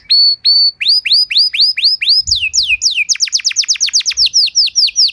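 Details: Lure song of a canary, played to make other canaries sing: evenly spaced upslurred whistles that quicken into a fast cascade of sharp downward-sweeping notes, loud and clean.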